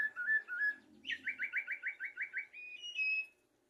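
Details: Common blackbird song used for tutoring goldfinches and canaries: two short whistled notes, then a run of about nine quick repeated slurred notes, ending in a higher sustained whistle.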